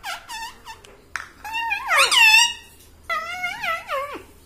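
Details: Pet parrot talking like a person in a small room: short squeaky syllables, then a loud strained phrase sliding up and down, and a final wavering phrase that drops at the end.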